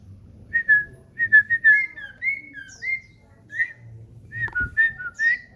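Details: Common iora kept indoors sings a lively phrase of short whistled notes, some slurred upward and some falling, repeated in quick groups of two or three, with a brief knock in the middle.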